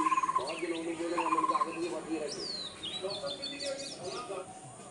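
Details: A male Coppersmith barbet calling to his partner: short bursts of rapid, hollow, mid-pitched tuk notes, with other birds chirping higher and a low background murmur.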